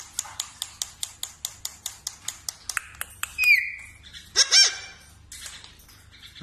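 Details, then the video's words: Parrot making a quick run of sharp, evenly spaced clicks, then a short rising squawk and a pair of loud, harsh harmonic screeches, with a person speaking softly nearby. "parrot natural voice sound tone"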